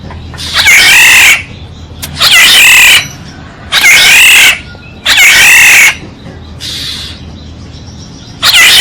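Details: Black-naped oriole used as decoy: a run of loud, rasping, mewing cries, each near a second long, repeated roughly every one and a half seconds, with brief quieter gaps.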